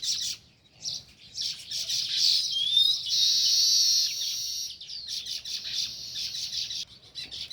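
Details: Near its nest in a village, a sparrow gives dense rapid chirping, with a sustained harsh buzzy stretch in the middle and fast twittering notes either side.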